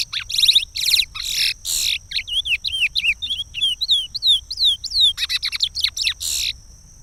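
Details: Chestnut-bellied seed finch from Pará, Brazil, singing its regional song, which is used to teach chicks. The phrase opens with buzzy trilled notes, then a run of clear, rapid, downslurred whistles, and ends in harsher buzzy bursts. A steady high tone runs underneath.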